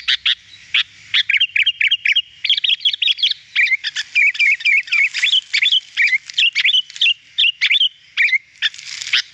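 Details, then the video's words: Sooty-headed bulbul singing, for use in prompting other birds to sing: a long, busy stream of chirps and bubbly, twisting phrases that blend together almost without pause. "Masteran agar burung kutilang cepat gacor"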